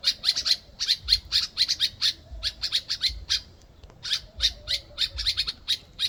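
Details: Pair of little African birds encountered in Ghana, noisily and relentlessly calling: dense runs of harsh, high squawking notes in rapid clusters, broken by brief gaps.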